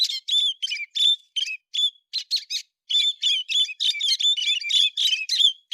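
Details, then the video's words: Songbird known locally as héc xoan, recorded in September 2020, sings short, bright bursts of whistled notes with quick downslurs and trills in an irregular run, separated by brief pauses; clean background with no other sounds. "tiếng chim héc xoan tháng 9 2020"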